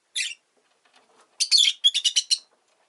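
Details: Pet Rosy-faced lovebird chirping: one harsh note, a pause, then a longer scratchy chirp followed by a rapid series of four or five sharp, evenly spaced notes.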